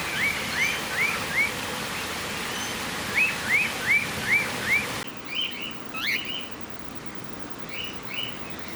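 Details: Cockatiel at Campbelltown Forest of Wild Birds, Saitama, Japan, 31 March 2018: short rising whistled chirps given in quick runs of three to four, about every half second, with a pause between bursts; steady background hiss.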